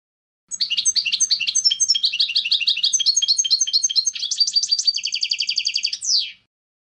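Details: European goldfinch in full song: a long, lively stream of twittering and tinkling trills, shifting into a fast even rattle-like trill and closing with a downslurred note, clear and uninterrupted.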